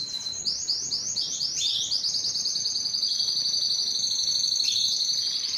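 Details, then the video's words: Canary song made of rapid rolling trills, with swooping repeated notes giving way to a continuous high warbling roll that runs unbroken throughout. "Canary sounds"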